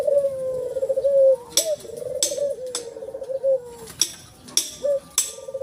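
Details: Ivory-white collared dove with black neck ring cooing in long, low, slightly wavering hums, with several sharp percussive clicks and knocks breaking in between the coos.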